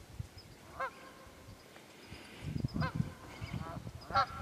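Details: Wild geese in the Quehanna Wild Area, Pennsylvania, recorded 27 February: a few distant, spaced nasal honks over low rumbling and rustling background noise.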